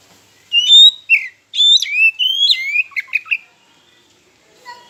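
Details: Oriental magpie-robin lure song to provoke rivals: bright whistled notes that hold steady, drop, and rise again, then rapid clicking notes before silence.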